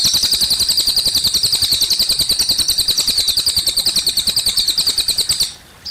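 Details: High sizzling trill of a cililin, fast pulsing notes held for over five seconds before cutting off sharply, with a murmur of trickling water beneath.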